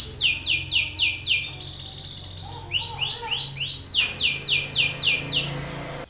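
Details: Angry male Belgian canary singing loudly at another male: rapid series of high downward-sweeping notes, then a sustained high buzzy tone, a few lower rising chirps, and more fast descending sweeps; faint low hum underneath.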